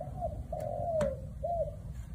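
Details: Close spotted dove coo in the '1 kook' style: a brief note, a long smooth coo gliding downward, then a short arched closing note, with a few soft clicks.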